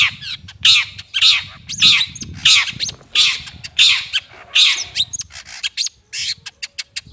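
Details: Long-tailed shrike (cendet) lure call: harsh, raspy, buzzy notes repeated about every 0.6 seconds in a steady run, followed by shorter scattered clicks and brief rasps toward the end.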